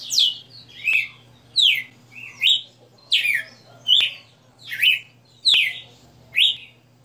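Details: Red-cowled cardinal, a privately kept bird singing the style called 60 notes: loud whistled slurred phrases, each dropping then rising, about every 0.8 seconds, with sharp clicks and a low steady electrical hum behind.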